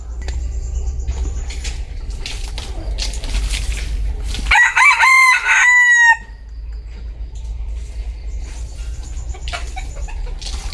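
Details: Bantam chicken crow rising from scattered background rustling and clicks: one strong, buzzy crow of about one and a half seconds in the middle, with a held, gently falling tail. Faint noises continue afterward.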